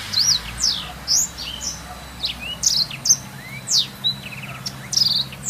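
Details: Blackthroat song used as a master recording for training canaries: quick high whistled slurs and sharp downward sweeps, varied notes delivered in short bursts with brief pauses, over a faint low hum.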